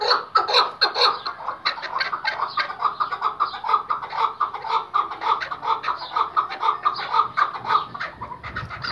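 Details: Calling Iraqi white-collared hunting partridge (chukar) gives loud, raspy clucking notes in quick runs about two per second, rising in intensity and then keeping a steady, rhythmic chattering series.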